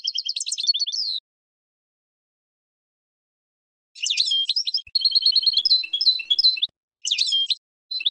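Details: Spring song of a European goldfinch, recorded for training cage birds: short bursts of rapid, high, liquid twittering and trills separated by gaps of silence, the longest phrase running nearly three seconds.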